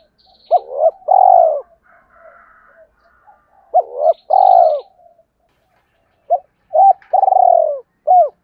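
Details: Spotted dove cooing in the two-ending style used to provoke wild rivals: three phrases about three seconds apart, each of short hollow hoots and then a long, burry, vibrating coo, with soft chirps from other birds between.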